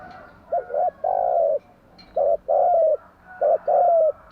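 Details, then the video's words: Spotted dove giving its morning song, meant for training doves to sing: three quick phrases of a short broken note followed by a steady low coo, less than a second apart. "Tiếng chim gáy bài bản gáy buổi sáng"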